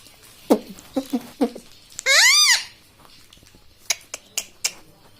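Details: Talking parrot kept as a pet, said to say "mummy", utters one loud, arched, rich-toned phrase lasting under a second, framed by soft tapping and snapping clicks indoors.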